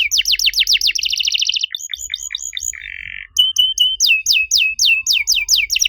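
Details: Master song of a canary for stimulating other canaries that have gone quiet; quick series of falling notes, a buzzy rattle, a short low trill, then repeated sharp descending whistles.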